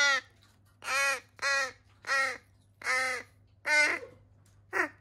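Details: Harsh nasal caws from rescued young crows, some with disabilities, recorded in July 2020: about seven loud calls at steady intervals against a low background hum.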